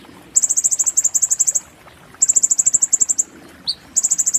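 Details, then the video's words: Oriental white-eye song of the muntah beling type, used as a master recording: several rapid strings of high, ringing notes, about a second long each, separated by pauses, with one lower chip, over a faint background hiss. "master konin muntah beling"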